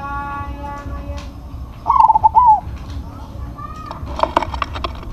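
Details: Big-voiced crossbred zebra dove delivering a single bubbling phrase of fast, clipped coos ending in a drawn-out note. Another steady, tonal sound comes first, and soft clatter follows.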